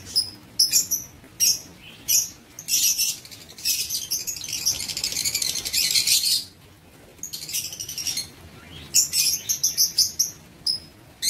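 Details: Lovebirds in an aviary, 19 September 2023: sharp isolated chirps, then a long burst of fast, overlapping shrill chatter, a short quiet gap and more clustered squeaky calls.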